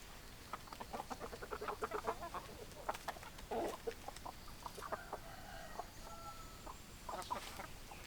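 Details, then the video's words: Chickens clucking in a farm setting: a dense run of short, repeated clucks in the first half, then a few longer, steadier tones near the end, over a constant low background hum. "Chicken Sounds Noises Hens Clucking Roosters Crowing"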